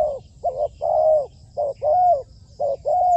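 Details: Trained decoy spotted dove on a roof, calling in a steady rhythm: short low coos alternating with longer, drawn-out, level coos, repeated roughly once a second against a quiet background.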